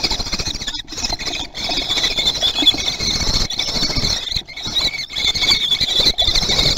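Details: Common kestrel chicks in a nest on 17 June 2020 in Théding, competing to be fastest to eat, giving a continuous shrill, wavering squealing with brief pauses and low scuffling underneath.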